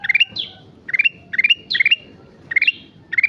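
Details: Quick bouncy phrases of a sooty-headed bulbul in active song (gacor): climbing runs of three or four bright notes and a high descending slur, repeated about every half second; faint low noise behind.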